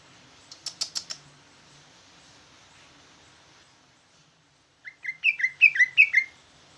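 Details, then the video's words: Ci ijo jumbo, a greater green leafbird, in trucukan-style song: a few faint clicks, a long quiet gap, then a short run of rapid scratchy chattering notes. "Ci ijo jumbo rasa trucukan ngoceh"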